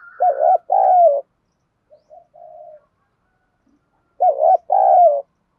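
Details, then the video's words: Lure spotted dove from southern Vietnam, 'đồng pha' voice, that urges wild doves to answer all day: two identical two-part phrases, a wavering coo then a long falling coo, about four seconds apart, with soft coos between. "cu gáy giọng đồng pha thúc đấu vấy bổi rất rút, giúp bổi gáy theo cả ngày"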